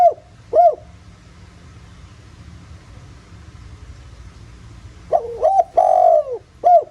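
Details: Countryside spotted dove, 'giọng thổ' voice, used to stir other doves to call: a short hooked coo ends one phrase, about four seconds of quiet follow, then a full phrase of wavering double note, long falling croon and short closing coo.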